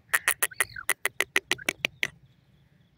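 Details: Female partridge kept in a cage, giving a rapid series of dry, clicking chucks at roughly two per second, mixed with a brief rising whistle. The calls stop abruptly, leaving a quiet pause.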